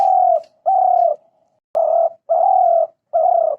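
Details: Spotted dove giving five clean, level coos of under half a second each, a few trailing into a soft tail, with near silence between them.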